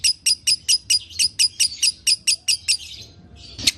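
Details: Lovebird kept in a cage produces a regular series of sharp high chirps, a little over two per second, that fades into a softer chatter and ends in one loud squeak.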